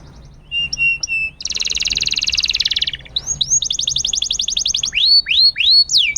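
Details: Canary singing vigorously on a master training recording used to prompt silent canaries to sing again; short whistled notes, then a long rapid buzzy roll, then rising swept notes repeated quickly in a fast trill.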